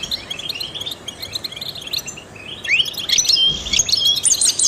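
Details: Song of a trained European goldfinch used to stimulate songbirds: soft twittering chirps at first, then louder rising slurred notes and sharp high trills in the final two seconds.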